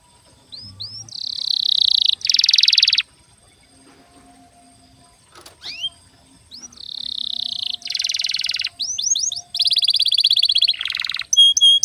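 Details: Canary singing a long lure song meant to prompt young or silent canaries to sing: rising chirps lead into loud buzzy rolling trills, a pause, then tours of rapid repeated notes and a final pure whistle.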